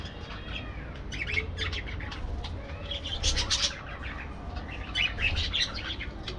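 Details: Dense parakeet chattering: overlapping squeaky chirps and harsh squawks rising and falling in waves, with a low background hum throughout.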